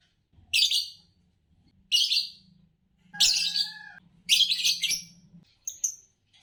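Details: Green Fischer's lovebird, a champion competition songbird in Indonesia; harsh, scratchy chirps repeat about every second, some carrying a faint tonal undertone, ending in short high squeaks, over a low steady hum.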